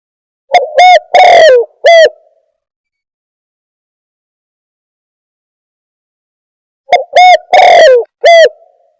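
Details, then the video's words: Trapping lure call of a spotted dove. Two bursts of four deep, resonant coos, the third note drawn out and falling. Long silence between the phrases. "Suara Pikat Burung Tekukur"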